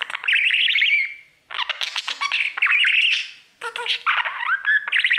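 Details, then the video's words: A male budgerigar sings to his mirror in bursts of loud, squeaky warbling. Chirps, squawks and short whistled slides are packed together, with two brief pauses between phrases. "3 Hour Budgie sounds | Cookie and his Mirror singing"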